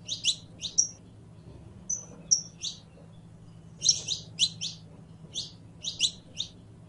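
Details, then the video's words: Canario criollo, the saffron finch, delivering quick high chirps and thin whistled notes in clustered bursts with pauses between, over a soft low background hum. "CANTO DE CANARIO CRIOLLO CANTANDO"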